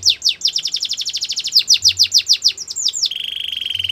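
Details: Rapid repeated downswept chirps from a Belgian canary run together for three seconds before shifting into a fine, steady buzzing trill.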